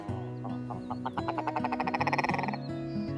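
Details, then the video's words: Willow Ptarmigan singing in a camp by the Denali Highway, Alaska, in the morning, waking the campers, gives a harsh, rapid rattling series that speeds up then stops, over steady background music. "When morning came, we were woken again by the sound of the ptarmigan singing in our camp."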